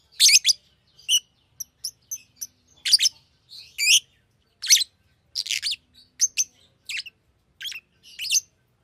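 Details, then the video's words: Rapid, busy chatter of shrill squeaks and harsh chirps from a Fischer's lovebird, delivered in irregular clusters with short pauses, sounding high and scratchy throughout. "Fisher LoveBird Makes AMAZING Sounds!"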